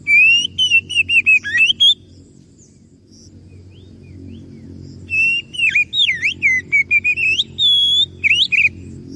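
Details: Oriental magpie-robin (kacer) song played as a lure to make other birds answer: loud, clear, fast whistled phrases with sweeps and trills, a quiet gap of about three seconds, then another burst of varied whistles. Low steady hum underneath.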